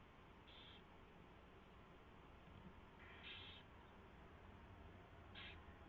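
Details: Nesting owl, 4:21 AM on 24 February 2016, mouse delivery and feeding; three spaced rasping hisses, the later two longer and louder, over a steady low hum.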